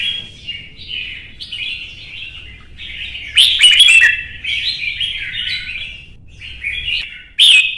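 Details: Red-whiskered bulbul in a singing contest, giving a long run of whistled, chattering phrases, with loud bursts near the middle and the end.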